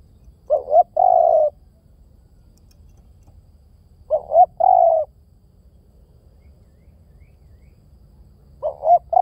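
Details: Spotted dove cooing in regular phrases, a short upswept double note followed by a sustained coo, repeated about every four seconds, three phrases, nothing else audible.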